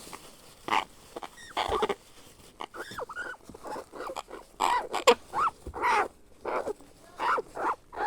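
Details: A grey parrot hatchling, being cared for and fed as a baby, begs with raspy, grunting squeaks in short bursts, about two a second, some rising and falling in pitch, over faint handling noise.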